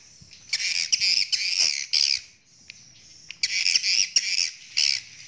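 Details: Courting swiftlets in breeding condition give rapid, buzzy, high-pitched chirps in two clusters of short bursts, separated by a near-silent pause of about a second.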